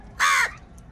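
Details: Crow fighting over food, giving a single loud, harsh caw of about a quarter second, broad and raspy with a strong band in the middle range, against quiet background.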